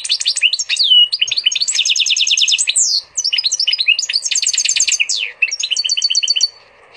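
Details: Energetic song from a hybrid of a female canary and a Portuguese goldfinch: dense, almost unbroken twittering with rapid repeated note series, swooping slurs and bright trills, fading out near the end.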